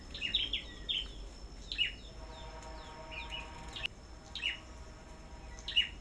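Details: Captive Sâu Đầu Đỏ songbird at a bird farm, singing in competition: short sharp high chirps in quick clusters, with pauses between bursts and a faint background hum.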